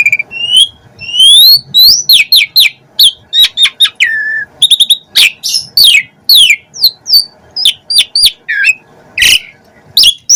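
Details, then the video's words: Varied song from a chatty Asian pied starling, full of fill-in phrases, said to make other starlings answer: rising and falling whistles, quick chips, a few harsh bursts, and a faint low hum underneath. "Jalak Suren Gacor Full Isian"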